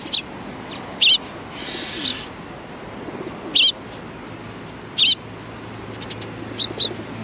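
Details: At a Tenmangu shrine, sparrows arrive for food on 25 April 2019, giving loud, clipped high chirps spaced about one to two seconds apart, with a soft rushing noise in between and a pair of fainter chirps near the end.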